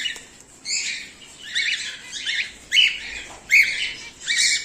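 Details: Home-bred cockatiel, whiteface emerald and exhibition grey male, calling in short raspy squawks with bent, rising-then-falling notes, six bursts in under five seconds.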